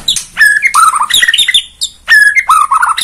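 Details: Bornean white-rumped shama song meant to trigger singing: rich slurred whistles stepping down in pitch, a brief pause, then the same whistled phrase repeated.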